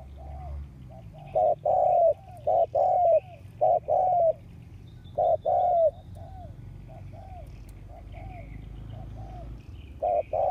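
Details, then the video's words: Captive spotted dove kept as a ground decoy to attract wild doves, August 2021: deep paired coos, brief note followed by a drawn-out slurred one, in irregular bursts with pauses between, over faint low background noise. "Tiếng chim cu mồi đất cực sung hiệu quả kích mồi"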